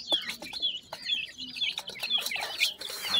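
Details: Pheasant chicks calling for their mother as they feed, giving shrill downward-sliding peeps roughly twice a second, with soft pecking and rustling underneath.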